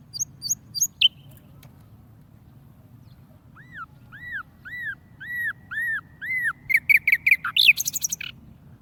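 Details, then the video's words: Caged tame warbler: a few high notes, then a series of about eight clear arched whistles at a steady pace, ending in a fast jumble of sharp chirps; low hum beneath. "warble bird tamed in cage and singing very nice پنجرے میں بند جنگلی پرندہ بہت اچھا گاتا ہے۔"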